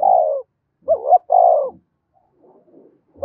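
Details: Spotted dove call meant to provoke fighting: a low, drawn-out coo, then a quick two-part rising note and another long falling coo, followed by faint murmurs.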